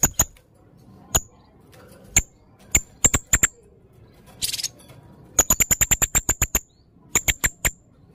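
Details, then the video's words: Actively singing red-necked serindit, a blue-crowned hanging parrot: sharp, very high ticking notes, some single and spaced, others in a fast run of about ten, with a short hissing burst in between. "burung serindit leher merah gacor full materi variasi"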